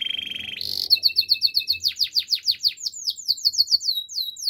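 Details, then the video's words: Belgian canary singing: a brief steady high trill, then a fast series of sharp descending whistled notes, each repeated several times a second, ending in quick downslurred high notes. "Belgian Canary Song"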